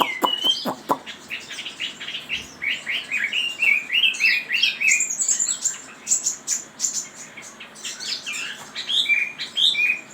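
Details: Chinese hwamei song: a loose string of loud, varied whistled phrases, rising and falling and slurred, some high ringing notes, opening with a few sharp clicks.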